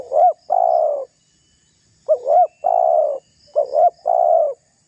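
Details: Spotted dove's lively menguku call for luring and angering rivals: three complete phrases, each a pair of short rising-falling notes then one long even coo, spaced about every one and a half seconds.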